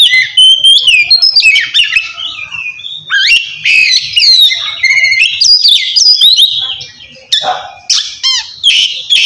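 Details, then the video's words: Ngeplong song of an Oriental magpie-robin, played to challenge a rival and stir lazy birds to sing: loud rich whistles, sliding notes and rapid chattering trills, nearly unbroken over nine seconds with a short dip near seven seconds. "suara kacer ngeplong memanggil lawan cocok buat mancing kacer malas bunyi"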